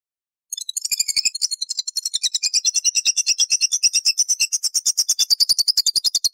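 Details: Lovebird ngekek and ngetik calls from birds in separate cages, spaced out to lure or stimulate other lovebirds; after a half-second silence a long, rapid, even run of high, sharp, clicking pulses, gradually settling to a steady rattling trill.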